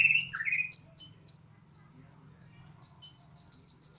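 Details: A house-kept White-rumped shama from Borneo sings like a siren. Two quick falling whistles lead into a rapid run of very high piping notes. After a short pause the run returns. A faint low hum runs throughout.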